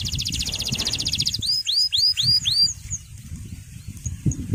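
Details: Male canary singing to draw rivals and train young birds: a fast high trill, then several arched whistled slurs, over continuous low background noise.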